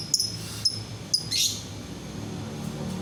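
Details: Lovebird used to trigger song in other lovebirds. Three crisp high ticks come about half a second apart, then a brief harsh buzzy chirp, after which the bird falls quiet over low room hum.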